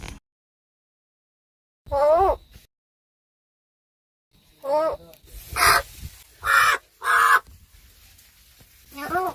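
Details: A talking crow in Gargaon village, Wada taluka, Palghar district, that mimics human words, heard during a chat with people: a short wavering voice-like call, then three loud harsh caws about a second apart, with people talking nearby.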